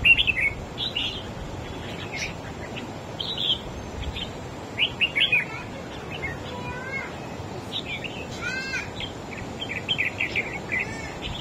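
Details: Red-whiskered bulbul singing in competition against another bird: short bubbling, warbled phrases of varied chirps and whistles, delivered in uneven bursts over a steady hiss of background noise.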